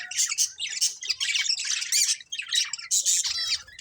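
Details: A family of colourful budgies chattering nonstop: tight runs of buzzy, rasping warbles and shrill twitters with only brief breaks, loud and close.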